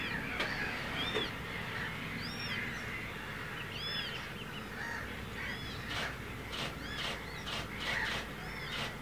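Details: Eurasian coots feeding their chicks give a run of short, high, arched peeps and calls, several a second, over a steady background of water and wind noise.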